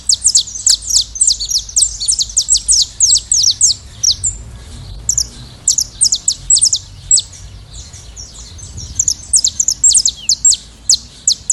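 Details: A wild flock of saffron finches in nature: rapid streams of bright, high chirps and trills from several birds overlap almost continuously, with a brief lull midway before the chatter resumes.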